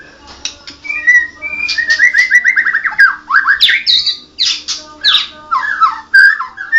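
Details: Energetic song of a Medan white-rumped shama (blorok): a fast rolling series of whistled notes, then loud, sweeping, harsh squawk-like slurs that rise and fall.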